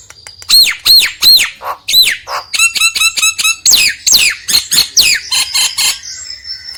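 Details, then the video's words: Nias hill myna singing, a recording meant to coax a lazy myna to sing. Loud arched whistles lead into quick stacked chattering notes and harsh swooping squawks, ending on a thin drawn-out whine. "PANCINGAN JALAK NIAS YANG MALAS BUNYI"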